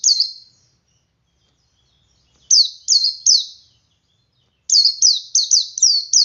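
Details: Male Oriental white-eye singing ngalas to draw other white-eyes into song: bright, high, down-slurred whistles in groups of three, ending in a faster run of five notes in close succession.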